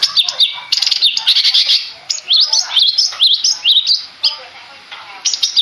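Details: Madura long-tailed shrike, a contest bird, delivering bursts of shrill chattering notes mixed with quick upslurred whistles, phrases separated by short gaps.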